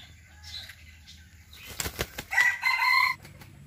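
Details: Wing flapping bursts from a Serama chicken lead into a short, strong harmonic crow lasting under a second, followed by quiet background rumble.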